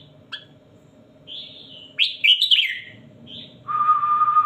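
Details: Red-whiskered bulbul giving a tutor song used for counting phrases: short warbled and slurred notes in scattered bursts, ending with a long steady whistled tone, over a low background hum.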